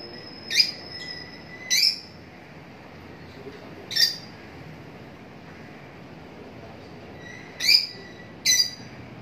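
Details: Lovebird uttering five piercing, abrupt chirps spaced irregularly, with long pauses between them and a soft steady hiss in the background.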